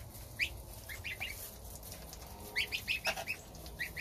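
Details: Goslings of domestic geese at their starter ration with the mother, the father guarding outside; scattered sharp high peeps, then a quick burst of several in a row near the end.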